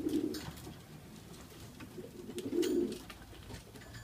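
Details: Loft racing pigeons in Oradea, Romania, with chicks one to two days old, 29 March 2015. Two deep, burbling coos, one at the opening and one after a quiet stretch, over faint indoor clatter.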